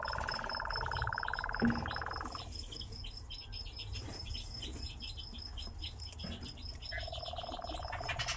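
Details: Singing nightjar answering a person: a steady churring trill that fades out, leaves a quieter stretch of faint ticks and a thin high steady tone, then returns at a slightly lower pitch near the end.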